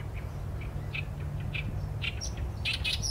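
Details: Oriental reed warbler singing, recorded with a Sony A7M3 camera: harsh, grating notes repeated about every half second, quickening into a dense chattering burst at the end, over a steady low rumble.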